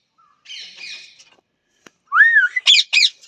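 A parrot gives a raspy, harmonic squawk, then a loud rising whistle and two harsh screeches close together near the end.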